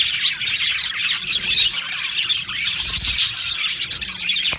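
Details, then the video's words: Many aviary budgerigars chattering at once, a thick high-pitched blend of chirps, trills and squeaky notes running continuously, occasionally punctuated by a single sharper call. "Beautiful Budgies Birds Chirping Sounds"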